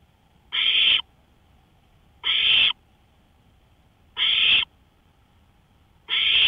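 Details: Porch recording at 1:53 AM, May 5, 2013, of an owl making four harsh, noisy screeches, each about half a second, repeating at a slow even pace near 1.8 seconds.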